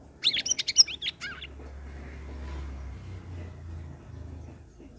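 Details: Grey-bellied bulbul singing, used to prompt other caged birds that have stopped singing: a quick burst of sharp, high chirps and short rising notes in the first second and a half, then only a low background hum.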